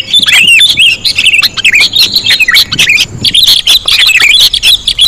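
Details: Sooty-headed bulbul lure sound: sharp chirps mixed with wavering, slurred whistles, delivered in quick runs separated by short gaps.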